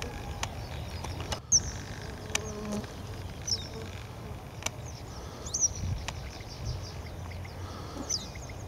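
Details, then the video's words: In Siberia, a western yellow wagtail gives brief, sharp, high-pitched call notes roughly every two seconds, four in all, against steady low background hum, a buzzing fly and occasional clicks. "Голос жёлтой трясогузки"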